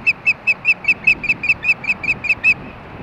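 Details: Osprey pair at a Montana nest (Hellgate), evening of 4 May 2013, around mating time, recorded by nest camera: a steady run of about thirteen clear, piercing, whistled yelps, evenly spaced roughly five per second.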